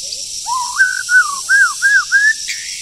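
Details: Wild forest bird in moult during the breeding season sings a clear phrase of five or six arched, fluty whistled notes in quick succession, with a faint insect hum.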